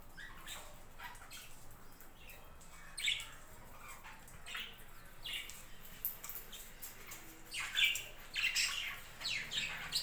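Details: Budgerigars kept on a budgie farm, giving scattered short high chirps and squawky notes at irregular intervals, with louder bursts of several overlapping calls near the end over a steady low background hum.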